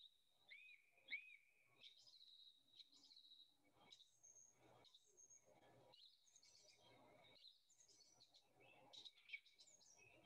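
Song thrush singing bright, clear phrases, whistled notes and sharp chirps, some repeated two or three times before a new phrase, over a faint low background hum.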